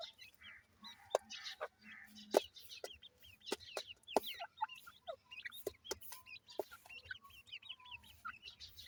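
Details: Several grey francolin chicks giving thin, high peeps in quick, overlapping series. Sharp clicks and taps mark the background at irregular intervals.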